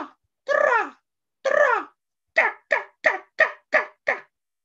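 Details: Red-bellied Woodpecker, a year-round backyard resident in North Texas, gives its distinctive call: two rolling, burry kwirr notes, then six shorter, clipped notes about three per second. Nothing else is heard.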